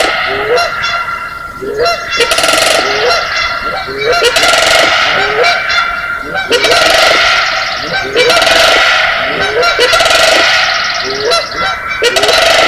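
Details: Canada Geese calling alongside Sandhill Cranes at early morning, May 4, 2016, in the natural amphitheater of Johnson Prairie, Southern Oregon; a dense, noisy chorus of rapid repeated honks, several per second, over a constant loud background din.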